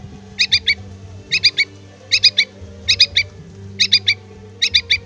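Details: Begging yellow-vented bulbul chick calls its parent with repeated sets of three bright, high squeaks, six sets coming about every 0.8 seconds, with low humming tones underneath.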